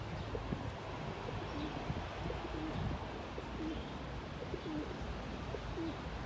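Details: Courting pigeon puffing up its neck feathers and dancing, giving soft low coos that bend up and down, spaced through the stretch, over a steady rumble of outdoor background noise.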